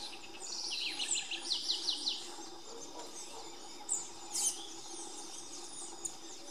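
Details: A lineated woodpecker in Colombia gives a quick run of about eight ringing, down-slurred notes over a second and a half, followed by a few thin, high calls over a steady insect hum.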